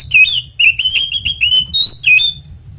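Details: Oriental magpie-robin fighting song, ngeplong tarung konslet style, for luring other magpie-robins into singing: an unbroken chain of loud, clear whistled notes, each sharply bent in pitch, repeated rapidly over a faint low hum.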